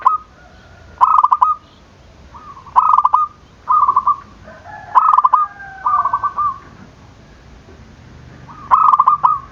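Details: Zebra dove calling vigorously, used as bait to stir lazy or silent zebra doves into calling: repeated bursts of quick, rolling, bubbly coos, phrases overlapping with a second, softer cooing voice mid-recording.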